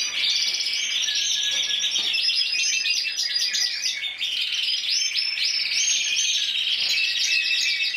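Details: Intense yellow canary that won the 2014 Spanish championship with 94 points, singing distinct trill tours: clipped rapid notes, then smoother rolling runs, with a brief dip near the middle before the song resumes.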